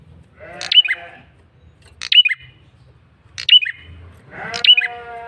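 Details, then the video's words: Lure call of a male bar-winged prinia: four sharp, high, descending two-part chips spaced over a second apart, with faint harmonic nasal notes and low hum behind. "Suara PIKAT prenjak kepala merah jantan GACOR NGOTOT"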